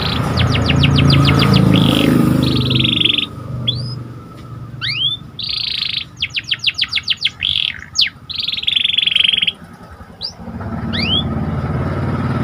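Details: Panda canary in full, lively song meant to raise another canary's excitement: clusters of fast descending sweeps, long buzzy rolls, and sharp upslurred whistles, with low steady rumble and a faint constant hum beneath.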